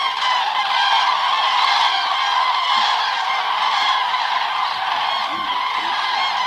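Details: Thousands of common cranes staging on the Hungarian Hortobágy steppe in autumn, flocks flying in to roost at dusk: a dense, loud, unbroken chorus of rolling trumpeting calls from many birds.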